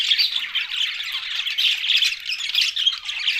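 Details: Brief stretch of budgerigar flock chatter: overlapping scratchy warbles and chirps forming a steady busy wash of calls.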